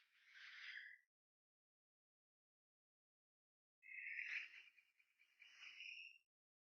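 An eagle gives two harsh, high screams, a one-second cry and then a longer, wavering one about three seconds later, with silence between.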